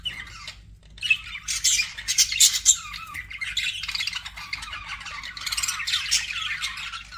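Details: Budgerigar chatter starts after a brief quiet moment, then builds into continuous scratchy twittering with several loud harsh chirps and a softer rambling stretch.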